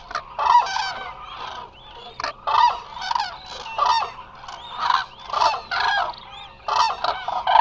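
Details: Eurasian cranes resting in a large flock at Hula Nature Reserve, Israel, caught by a live wildlife camera; loud trumpeting, harmonic calls from many birds overlap in bursts roughly every half second, forming a continuous rolling chorus.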